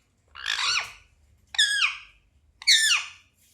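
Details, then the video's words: Pet Indian ringneck parakeet indoors: three harsh, descending squawks, each about half a second long, with a low hum underneath. "Ringneck Parrot chirping sounds"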